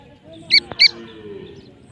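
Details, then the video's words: Two short, bright, high francolin notes, separated by a single soft click, then quiet low background noise. "teetar checks calling"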